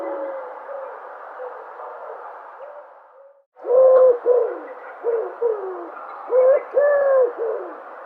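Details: Dove cooing: soft, low hooting notes, some slightly rising or falling, faint and steady for the first three seconds, then after a brief silence a louder run of about six repeated coos over a faint background hiss.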